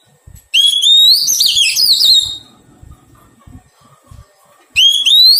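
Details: Oriental magpie-robin, a wild-caught bird undergoing taming, sings a phrase that opens with a clear rising whistle, then breaks into rapid warbling twists for nearly two seconds; the same rising opening returns near the end.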